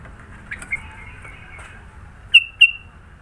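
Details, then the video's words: Sooty-headed bulbul in Sidoarjo, East Java, singing a varied song: soft, faint warbling at first, then two sharp, loud whistled notes close together near the end, each trailing off in a level tone. "Burung kutilang suara isian banyak"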